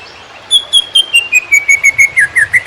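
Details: Master recording of a greater green leafbird in konslet song for training birds: a steady train of clear whistled notes about every fifth of a second, gradually dropping in pitch, then turning upward at the end.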